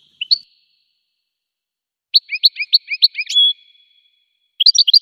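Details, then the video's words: A goldfinch gives a lone chirp, then a quick run of high twittering notes ending in a drawn-out, even whistle-like tone. After a pause, another short burst of chirps follows. "Magic of the melody of the goldfinch's song"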